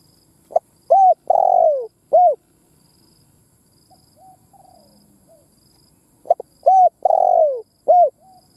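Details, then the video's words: Spotted dove cooing as a decoy to rouse other doves: a four-note phrase of clipped, arched and long falling coos, repeated after a pause filled by soft, distant answering coos. "Tiếng Chim Cu Mồi Đất Thúc gù gáy"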